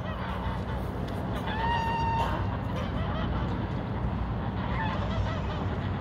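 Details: During a goose fight, a single loud, brassy honk with rich harmonics rings out briefly before fading into a continuous roar of low background noise.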